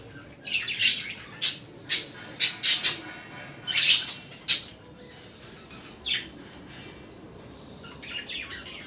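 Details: Baby budgerigar giving scattered sharp, high squeaky chirps and harsh notes in irregular bursts, some bunched close together, then quieter squawks at longer gaps.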